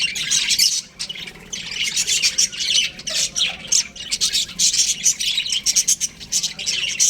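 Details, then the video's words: Baby budgerigars fill an aviary with loud, overlapping squawks and chirps, one brief lull near the start, then constant busy chatter. "Baby Budgies Chirping Sounds"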